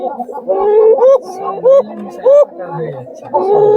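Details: Basiraj Khoka (Gobindo) domestic pigeon, a fancy breed kept for its call, said to sound like another bird or jungle fowl; three clear, flute-like hooting coos, each rising then falling, about every two-thirds of a second, over a low murmur.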